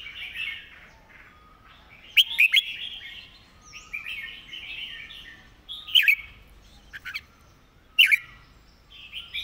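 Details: Red-whiskered bulbul master song for teaching birds: lively whistled, slightly slurred phrases repeated about every two seconds, with sharp accented notes at roughly 2, 6 and 8 seconds over softer continuous warbling.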